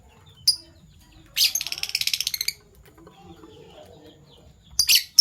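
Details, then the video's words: Morning sounds of Fischer's lovebirds, PB Violet and Euwing Gold Opaline: isolated shrill chirps bracket a rapid rattling series of about a dozen harsh pulses lasting a second. "Lovebird Chirping Sounds - PB Violet Fischer & Euwing Gold Opaline Fischer"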